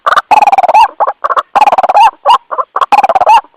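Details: Calling white-breasted waterhen summoning its companions, a lure call: loud, harsh stuttering croaks run into long nasal, upward-inflected squawks, the phrase repeating about every three quarters of a second.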